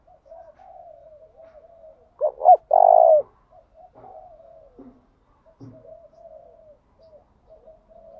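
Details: Spotted dove used as a lure to provoke wild doves into singing: one loud phrase of two short notes and a long throaty coo amid continuous faint cooing, plus a few dull knocks.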